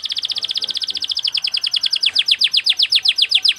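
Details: Canary singing a fast, tightly packed training song: a long, rapid, even trill of repeated high notes that slow slightly and turn into falling sweeps toward the end.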